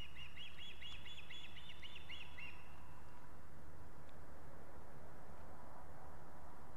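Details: At an Estonian nest in August with all chicks home, an osprey gives a rapid run of about ten high, piping whistles lasting two seconds, then only a low rumbling background.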